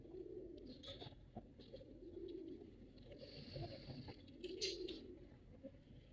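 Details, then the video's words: Male pigeon performing, giving low, rolling coos in repeated bursts with a steady high hiss running through the background. "Pigeon sound Effect || Male pigeon super Performance"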